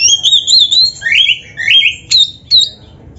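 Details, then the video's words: Caged white-rumped shama (kacer) singing a training song: a warbled whistled phrase, two downslurred rising whistles, then clipped sharp chips and a short high note. "Suara Burung Kacer yang cocok untuk LATIHAN"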